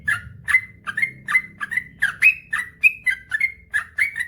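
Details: Sooty-headed bulbul singing in the gacor ropel panjang style used to stimulate silent birds: steady string of rich, slurred whistles repeated about every third of a second, each note swooping and chirpy, with a soft low rumble behind.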